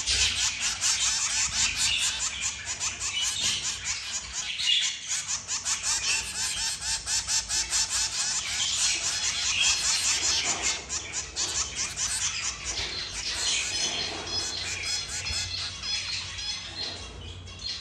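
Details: Three zebra finch chicks beg while being fed by both parents, in a dense, high, buzzy chorus of rapid repeated calls.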